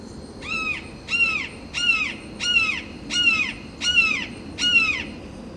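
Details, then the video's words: Perched red-shouldered hawk giving territorial calls toward rival hawks: seven loud, harsh, downslurred screams with rich harmonics, repeated roughly every two-thirds of a second in a steady series. "Red-shouldered hawk perched and calls"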